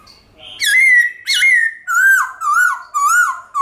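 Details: White-cheeked laughingthrush singing a wild forest-style song, played to stimulate pet birds to sing: loud, rich whistled phrases, one long slurred note then a run of short rising-falling warbles, about five phrases in under four seconds.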